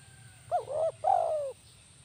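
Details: Spotted dove, a lure tekukur with kuk 1 style, delivering a single phrase of twin looping notes and a long, level-then-falling coo, clear over a soft low-pitched hum.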